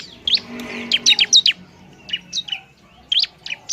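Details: Bar-winged prinia giving a provoking song for other prinias: sharp high chirps, some in quick pairs and triplets, spaced irregularly with short silences.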